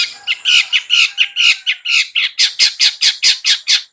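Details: Ngetet song of a long-tailed shrike, used to provoke slow-singing birds: harsh squawking notes repeated about twice per second, growing sharper and more clipped toward the end.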